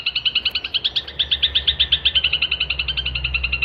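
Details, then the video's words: Lively full song of a long-tailed shrike for tutoring songbirds: rapid repeated high chirping notes, under three per second, steady in pitch with a faint low hum underneath. "kicauan cendet gacor"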